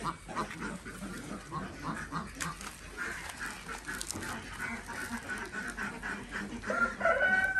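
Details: Desi ducks on an Andhra Pradesh village farm in the morning while eggs are collected; softer, more distant quacking chatter, then a clearer drawn-out call near the end.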